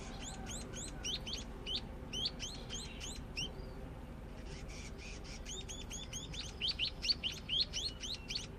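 Scaly-breasted munia practising its song: quick runs of thin, high chirps and short sweeping whistles, broken by brief pauses, over a steady low background rumble.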